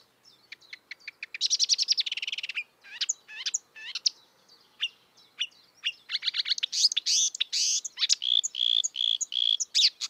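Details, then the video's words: Marsh warbler in the wild pouring out a varied song: spaced clicks, then a rapid buzzy trill, scattered chirps and sweeps, and a dense burst of mimicry-like mixed notes. "kicauan merdu burung marsh warbler / kerak basi di alam bebas"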